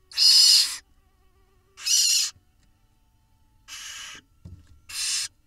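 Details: Barn owl nestlings in a nest box camera in Israel, hatched 17 May 2021, begging while parents feed them and the father brings a mouse: four harsh, breathy hissing bursts, each under a second, about every one and a half seconds.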